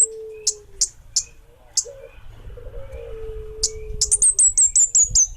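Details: Orange-headed thrush, bunga api variety, in energetic song: several isolated sharp high chips spaced irregularly, then a quick burst of seven or eight piercing whistled notes dropping slightly in pitch, with a low droning tone underneath.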